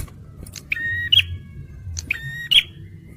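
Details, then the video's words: Male bar-winged prinia singing two short, bright phrases, each a brief low buzz rising to a piercing high chirp, with soft clicks and a faint background hum between them. "TEMBAKAN PRENJAK MERAH JANTAN || CIBLEK SUPER GACOR"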